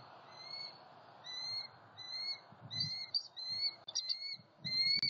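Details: At a southwest Florida nest on November 23, 2020, a male bald eagle brings an opossum and the female takes it to eat. Sharp, high piping chirps repeat steadily, roughly twice a second, with brief clustered chatters midway, over a soft background hiss.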